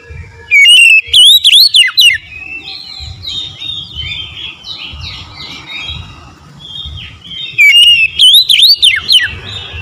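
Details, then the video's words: Oriental magpie-robin singing konslet style, unloading its isian fill-in: two loud bursts of rapid, looping whistled notes about seven seconds apart, separated by busy softer chirping and scratchy calls from other birds. "PASTI LANGSUNG RESPON SEKETIKA KONSLET BONGKAR ISI4N"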